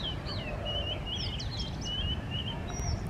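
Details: Male Oriental magpie-robin singing in display, a string of clear whistled notes, short slurred rising and falling phrases, over a loud steady low rumble of background noise.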